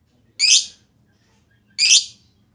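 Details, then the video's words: Lovebird, recorded as a lure to prompt other lovebirds to sing, giving two separate harsh, high, raspy chirps roughly a second and a half apart against a quiet background. "Pancingan LB Ngetik Lanjut Ngekek Panjang"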